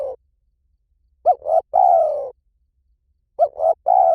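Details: A lure recording of a spotted dove in the 'liew tan' manner for training: the tail of a croo, then two phrases of two short hooting notes and a prolonged, softly descending croo.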